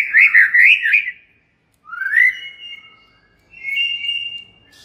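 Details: White-rumped shama song played to set off other shamas: a fast warbled burst of wavering whistles, then two long drawn-out clear whistles, each starting with a rising sweep and holding steady.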